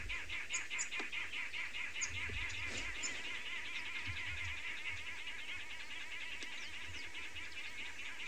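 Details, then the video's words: Several arrow-marked babblers babbling at each other at dawn in Tswalu Kalahari Reserve, South Africa, 24 June 2020: overlapping harsh, rapid, raspy chatter, with other small birds calling faintly and a low background rumble. "hear there is the sound of the arrow-marked babbler. Well, a few arrow-marked babblers, and they are babbling at each other."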